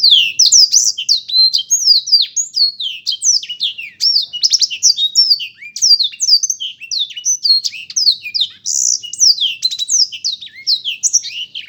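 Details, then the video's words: A black-throated canary delivers nearly twelve seconds of unbroken, high, tumbling song: quick falling whistles mixed with buzzy rattles and chips, barely pausing throughout. "burung blektroat memang keren ....suaranya"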